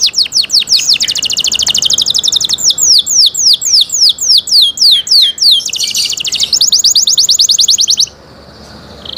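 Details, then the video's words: Canary singing rapid descending whistles and fast rolling trills in alternating phrases, stopping abruptly near the end followed by quiet. "canary Nice sound"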